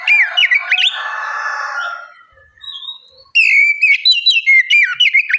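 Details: Loudly singing oriental magpie-robin, used as a lure to set other magpie-robins singing: a burst of sharp whistles over a harsh raspy note, a near-silent gap with a faint thin whistle, then rapid loud sweeping whistles.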